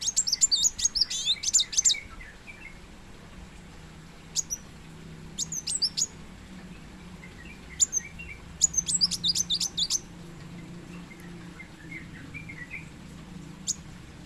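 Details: Plain sunbird, kolibri muncang or kolibri wulung in Indonesia: an opening flurry of high, sharp twitters, then scattered single piercing notes and short rapid phrases with irregular gaps, plus faint softer lower twittering.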